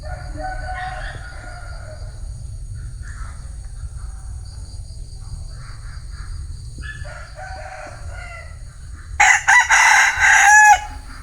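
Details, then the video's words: Bantam rooster crow, heard first as faint, distant rasping phrases over steady low hum, then one sudden loud, harsh, harmonic crow near the end lasting under two seconds. "Tiếng Gà trống tre gáy"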